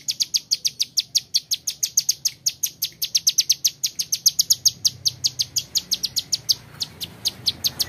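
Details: Bar-winged Prinia, a young male serving as a training model, keeps up a quick steady series of sharp high ticking notes for eight seconds, slightly slowing toward the end.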